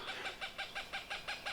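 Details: Female Cooper's hawk at her nest in low-elevation riparian deciduous forest of northern Utah gives a fast harsh cack-cack-cack series, about nine hoarse even notes in a second and a half, as a hiker approaches.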